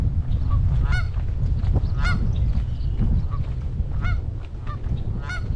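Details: A large group of Canada geese in a protective formation around goslings on a Michigan pond in late May 2021; sharp nasal honks about once a second over heavy low rumbling wind noise.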